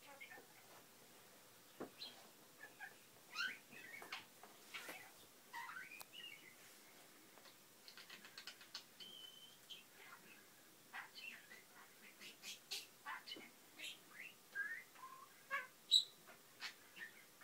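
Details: A pet budgerigar chatters in a quick, rambling stream of squeaks, clicks and short warbled notes.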